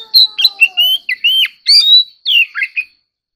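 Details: Oriental magpie-robin giving competitive song, a dense phrase of sweet whistles, upward and downward slurs and sharp notes, with a faint lower drawn-out tone at the start.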